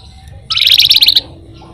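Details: Flamboyan (pin-striped tit-babbler) used as a songbird lure, singing in a rolling style: a single rapid, loud, high rattling trill lasting under a second against quiet background hiss.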